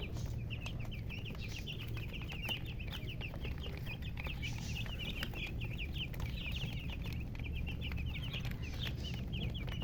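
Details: Many coloured chickens near a hen (murgi) chirping nonstop for ten seconds, a continuous chatter of quick falling peeps layered together, plus faint clicks and a low steady drone.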